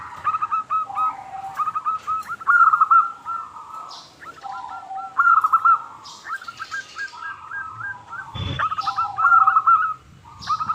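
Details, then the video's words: Local zebra dove used as a calling lure for other doves; repeated phrases of fast rolling, hooked coos with brief pauses between, occasional soft rustles and a sharp knock near the end. "Perkutut Lokal Gacor Suara Super Kristal - Pancingan"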